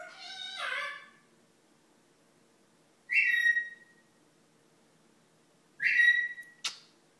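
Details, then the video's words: Talking parrot copying a cartoon dog's lines "Hi there! Squirrel!", producing a longer wavering voice-like phrase, then two short bright whistled syllables about three seconds apart, with a sharp click at the end. "Parrot says "Hi There! Squirrel!" LIKE Doug the dog from movie UP!"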